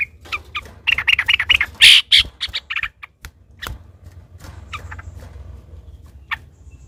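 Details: Yellow-vented bulbul in long, fast-rolling fighting song, used to provoke other bulbuls into singing: a burst of loud, harsh, chattering notes for about two seconds, then scattered sharp calls fading to a quiet background.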